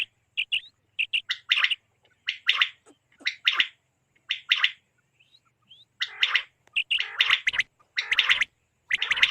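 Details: Quail sound, apparently for hunting and netting, in KPK: short clipped high notes, then rasping double and triple note groups, growing denser and harsher with nasal harmonic squawks in the second half.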